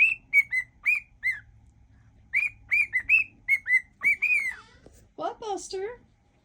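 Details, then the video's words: Whistling cockatiel mixing songs: spaced clear notes, a long downward-curving whistle, then lower harsh chattering notes at the end. "whistling cockatiel"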